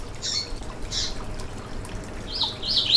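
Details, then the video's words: Yellow-bellied seedeater (coleiro baiano) song used to stimulate a caged bird: two soft high buzzy notes early on, then a short run of sharp, high, slurred notes at the end over faint background hiss. "Canto para foguear e esquentar seu COLEIRO BAIANO - 2022 - Piado e Canto"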